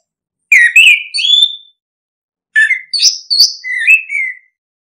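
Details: Orange-headed thrush singing two phrases of clear, varied whistles, rising and slurred notes mixed with short sharp chirps, each phrase lasting about a second and a half with a pause between.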